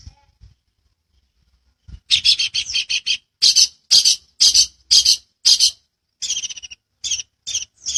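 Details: Long-tailed shrike in full, dense chattering song, used as a master recording for training birds: near-silence for two seconds, then a rapid run of harsh, buzzy notes repeated about twice a second, with short pauses between bursts.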